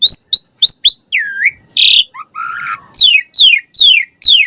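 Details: Asian pied starling song, played as a lure to get captive starlings singing: quick repeated downslurred whistles, a dipping swoop, a harsh buzzy burst, then a series of loud falling whistles spaced about half a second apart.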